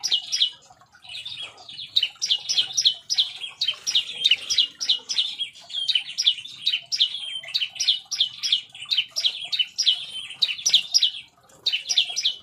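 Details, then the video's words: Agitated song from a caged bar-winged prinia in an aviary, a long string of piercing high chips delivered rapidly and unevenly, roughly three or four each second, pausing briefly near the end. "Ciblek nembak ngamuk ngamuk di aviary"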